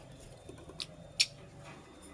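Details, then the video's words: Purple lovebird, a nest-building female, gives two quick, piercing high chirps, the second louder, over faint steady background hum. "Purple Lovebird Chirping Sounds - Female Lovebird Makes a Nest"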